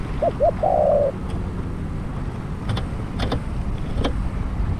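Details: A decoy spotted dove used for trapping gives one phrase: two short rising notes and a buzzy coo. Scattered clicks and distant rumble follow.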